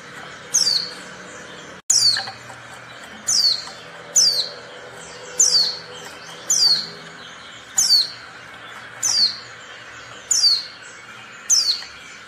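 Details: A female Oriental white-eye gives high, thin, twittering bursts, about ten in a row, one every second or so, over a faint low hum; the call is used to provoke quiet males into calling.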